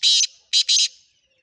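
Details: Loud, grating call of a Sindhi kala teetar (black francolin), a caged bird for sale: one long harsh note, then two quick rasping notes, with nothing else audible.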